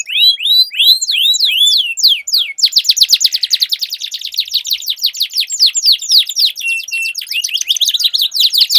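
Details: Two canaries dueling in song, kept birds used to trigger silent canaries into long rolling song: looping whistled sweeps give way to a fast, long rolling trill of repeated notes, with a second singer overlapping.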